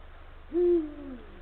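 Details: Male Eurasian eagle-owl at the nesting area, calling to his mate in the late afternoon on 17 February 2023, 16:45: a single deep, hollow hoot that swells, holds and then slides gently lower, trailing off softly.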